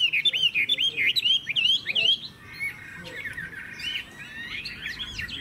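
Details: Chinese hwamei, a caged Vietnamese songbird valued for its fine voice, delivering quick looping whistles in a tight string. After a brief pause come softer, rapid warbled phrases.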